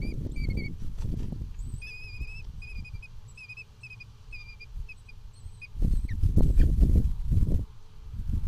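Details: Two parent common kestrels arguing, recorded in the Netherlands on 6 June 2020: a steady series of short, clipped high notes repeated a few times a second, over low rumbling and bumping noise that grows louder near the end.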